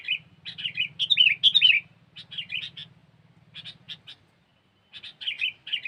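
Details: Sooty-headed bulbul (kutilang) in cengkeram-style lure song: lively chattering bursts of liquid, warbling whistles and quick chirps, several notes per second, with a buzzing low hum during the first four seconds.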